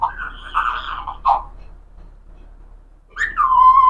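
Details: Talking parrot indoors voicing repeated word-like sounds, the word "Allah" said over and over in a nasal tone, short rounded syllables, a pause, then a drawn-out steady tone with a low hum underneath.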